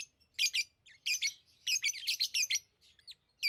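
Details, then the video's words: Lovebirds chattering in rapid runs of shrill, grating high chirps, several notes close together, then a pause before another squeak. "Love birds Sounds | lovebirds chirping sounds"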